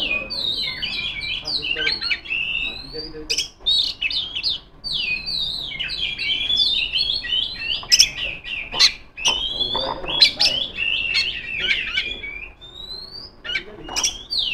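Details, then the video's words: Singing female Oriental magpie-robin challenging rivals; rapid, varied phrases of whistles and scratchy twitters, repeated in bursts and punctuated by sharp clicks. "suara burung kacer gacor ngeplong memanggil lawan"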